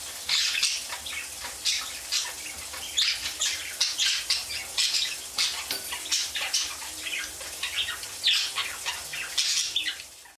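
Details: A budgerigar keeps up lively non-stop warbling, rapid high scratchy chirps and squeaks tumbling over one another, with occasional louder sharp notes over a constant soft background hiss.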